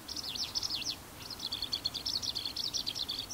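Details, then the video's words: A Japanese Eurasian skylark (Alauda arvensis japonica), singing busily on 26 April 2015, pours out a fast, unbroken stream of high chirruping trills and warbled notes, pausing briefly before running on, with a faint background hum. "ヒバリ "Alauda arvensis japonica" の鳴き声"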